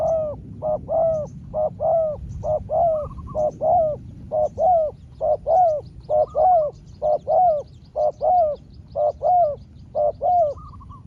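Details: Spotted doves in a long calling contest, a wild small-voiced bird answering: steady run of short mellow coo notes, about one per second, evenly paced with brief gaps, faint high chirps behind.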